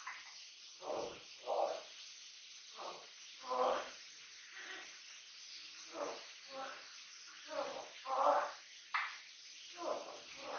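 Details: A captive-bred Amazon parrot, three years old and kept as a household companion, gibbers nonstop: about a dozen brief throaty syllables, each a rough harmonic burst, delivered in an uneven patter with short gaps.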